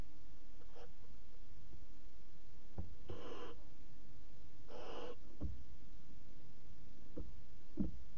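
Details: Barn owl chicks in a nest box at 22:00 on 5 August 2017, flapping wings; two long hissing, breathy calls in the middle, with scattered sharp knocks and thumps and a steady hum.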